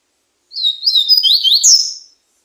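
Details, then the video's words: A slate-colored seedeater gives a brief high song of quick, thin whistles that dip and rise in connected sweeps, ending on a strong buzzy upward note. There is no background noise. "Coleiro ardeziaco"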